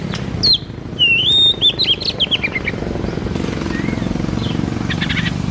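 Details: White-rumped shama singing boldly to encourage a lazy shama: a rich whistled phrase with a long level note and quick downslurred chips in the first two seconds, then faint notes and a short chatter over background hum.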